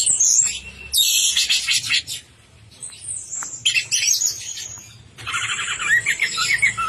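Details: Orange-headed thrush in 'teler' song: bursts of high chatter, a quieter drawn-out whistled phrase in the middle, then a renewed rush of rapid notes over a soft low hum.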